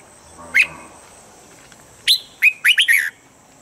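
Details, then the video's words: Standard morning voice-training song of the red-whiskered bulbul, used to get birds quickly fired up: a lone chirp, a pause, then a lively phrase of clear whistled notes rising and dipping in quick succession; faint high background tone. "Luyện giọng chào mào âm chuẩn mỗi sáng giúp chim nhanh căng lửa"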